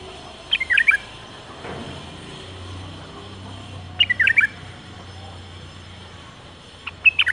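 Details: Bulbul bred in captivity, 2018 season, giving brief warbled whistle phrases of several rapid notes, repeated about every three seconds over a steady low hum.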